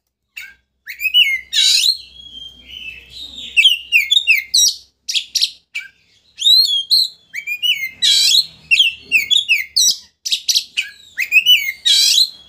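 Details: Oriental magpie-robin singing vigorously, used to provoke a rival into opening its tail: continuous fast phrases of looping whistles mixed with harsh, buzzy bursts and sharp chirps, barely pausing over twelve seconds.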